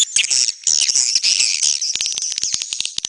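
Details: Swiftlet calls in the style known as neutral sound: dense, high, buzzy chirps running almost continuously, then sharper separate clicking chirps in the final second.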